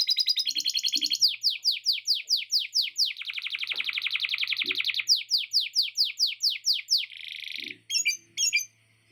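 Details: Canary in full, long song with inserted lovebird chattering phrases: loud, rapid series of sweeping whistled notes, a dense buzzy rattle midway, then more quick falling sweeps and a few sharp chips, repeated more than twice a second.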